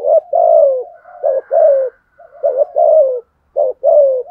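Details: Spotted dove used as a decoy, cooing to provoke wild doves. Hollow, low coos fall slightly in pitch, in short phrases of two to three notes with brief pauses, and no other sounds.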